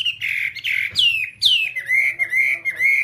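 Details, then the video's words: Whambie song used to train caged whambies: rich whistled notes with sharp upward squeaky slurs, then a steady series of wavering mid-pitched whistles. "Masteran Whambie nonstop 1 jam"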